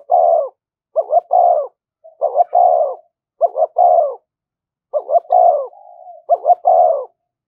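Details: Rhythmic 'thúc gù' cooing of a spotted dove for luring: five low phrases, each a quick double note and a longer falling coo, spaced about a second apart.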